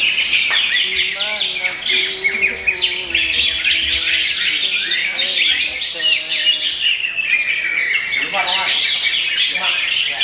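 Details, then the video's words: Young murai with admired style, not yet a contest winner, singing before breaking the Ramadan fast: continuous high, fast chirping and trills over a steadier series of lower, level whistled tones in the first half. "ngabuburit bareng Murai Muda"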